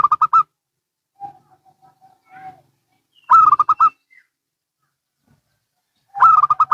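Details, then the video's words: Local and Bangkok zebra doves answering each other in turn: repeated loud bursts of quick bubbling staccato coos every three seconds, separated by a soft, lower series of short coo notes. "Perkutut Lokal & Bangkok Bunyi Saling Bersahutan"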